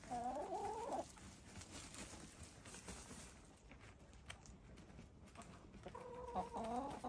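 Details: Hens in gray, lavender, blue and black, dust bathing; a drawn, wavering nasal call at the start and another near the end, with scratching and dirt rustling in between.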